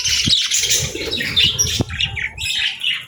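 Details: Happy pet budgerigar chattering: a loud, continuous, slightly harsh warble of squawks and high chirps, with a few sharp clicks in between.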